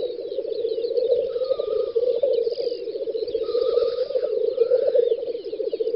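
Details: Black grouse lekking on a spring field in western Russia, Volga federal district, 9–10 May 2019: a steady, low bubbling and cooing chorus, pulsing without a break, with thin drawn-out whistles from other birds above.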